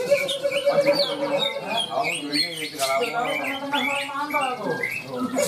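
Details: Greater green leafbird (Chloropsis sonnerati), a caged bird winning a songbird contest in North Kalimantan, pours out a rich, varied song of fast whistles, chatters and slurred notes, overlapping other birds, with voices and crowd noise behind.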